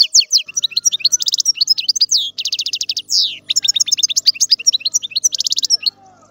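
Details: Continuous European goldfinch song, lively and tinkling, mixing quick chirps with rattling buzzy trills and a sweeping slurred note, with barely a break for six seconds.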